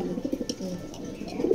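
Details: Racing pigeons kept indoors for sale give short, throaty coos, with a few soft clicks and a louder burst of cooing at the end.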